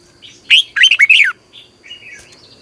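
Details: Red-whiskered bulbul with a long double twisting voice, a competition singer used to prompt other birds. One quick, loud phrase of three or four slurred whistles, followed by softer trailing notes.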